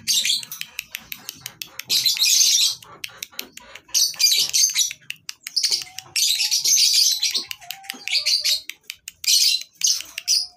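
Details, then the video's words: Many lovebirds at a breeding farm, tutoring audio for lovebirds gone quiet: quick sharp ticks between loud, hissy bursts of high chatter, plus occasional thin lower whistles. "SUARA LOVE BIRDS PETERNAKAN LOVEBIRD COCOK BUAT MASTERAN LABET MACET BUNYI"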